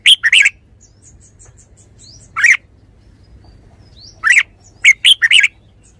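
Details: Red-whiskered bulbul singing short, bright, warbled phrases in separate bursts: one at the start, one near two and a half seconds, then a quick cluster of three or four phrases toward the end, with quiet gaps between.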